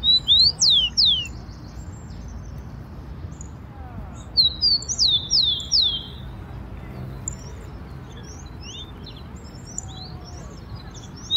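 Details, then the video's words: Wild rufous-collared sparrow singing in Brazil: two phrases of high, clear slurred whistles, with notes sweeping down and up, about four seconds apart, followed by faint, distant high chirps over a low background hum. "O CANTO DO TICO-TICO SEUVAJE"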